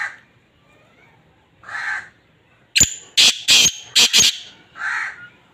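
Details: Black francolin breeding call: a sudden, strident phrase of four to five sharp, rasping notes in about a second and a half, between softer, hoarse single notes, in an otherwise quiet setting.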